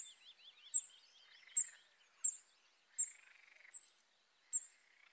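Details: Western yellow wagtails by Lake Drużno: sharp, very high, clipped notes repeated about every three quarters of a second, with softer twittering and a faint buzzy warble underneath in a quiet setting.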